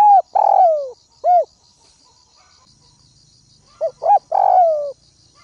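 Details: Spotted dove decoy calling to lure wild doves, opening mid-phrase with a long falling hoarse coo and short coo, then after a pause a fresh stuttered phrase ending in another drawn-out coo; steady insect pulses above.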